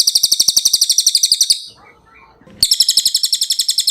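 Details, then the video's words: Cililin song recorded as a clear-voiced training recording for other songbirds: rapid, high, buzzy chattering trill of evenly pulsed notes lasting about 1.5 seconds, then a short quiet gap and another burst of the same trill. "MASTERAN CILILIN SUARA JERNIH"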